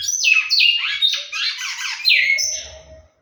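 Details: Captive-bred large-billed seed finch in song: rich whistled phrases sweeping down in pitch, strung together quickly, ending in a higher sustained note before falling quiet; a soft low rumble is audible near the end.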